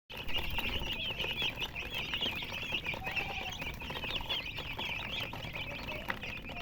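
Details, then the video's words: Chickens, described as colour chickens, chirping together: a dense chorus of high, quick, wavering peeps overlapping continuously, with soft rustling and scratching underneath. "silly chicken chirping sounds"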